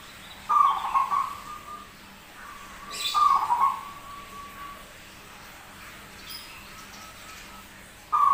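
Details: Strange-voiced zebra dove singing persistently: trilled coo phrases separated by long pauses, with a thin connecting tone, a sharp clatter, and faint background hum.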